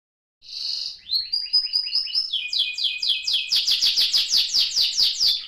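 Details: Young pet canary about 30 days old, singing a clear whistled note then a fast series of rising and falling trills, each phrase repeated rapidly and growing louder toward the end.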